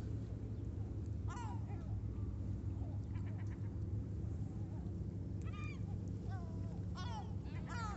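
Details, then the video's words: Gulls at Sorrento, Italy, giving several short, strident, descending cries, some in quick pairs, against a constant low rumbling background hum. "Gabbiano Garrito Stridio Verso Canto Gabbiani a Sorrento"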